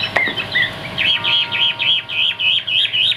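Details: Chinese hwamei kept as a cage bird in Vietnam gives a brief rustle, then a string of similar clear whistled phrases, each a short rising-falling slur repeated about four times a second.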